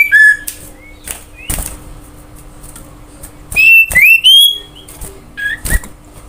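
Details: Common iora song used as a lure to make other birds sing: clear whistled notes, some sliding upward, between loud sharp clicks and knocks, with pauses of near quiet.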